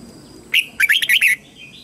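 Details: A red-whiskered bulbul used as a lure, singing to summon wild bulbuls to fight: one opening whistle, a brief pause, then four quick warbled notes rising and falling, with a faint softer whistle afterward.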